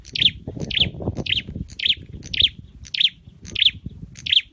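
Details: Repeated high, clipped chirps from a caged Scarlet-headed flowerpecker in song training, roughly every half second, with a low rumbling background noise that is loudest early on.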